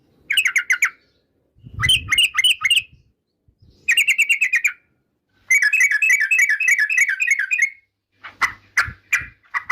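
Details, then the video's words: Several bursts of rapid rolling whistled trills from a yellow-vented bulbul (trucukan), each a second or longer, with brief pauses, ending in scattered sharper chirps and some low knocking sounds. "Suara Trucukan bikin emosi lawan || Burung Trucukan 2024"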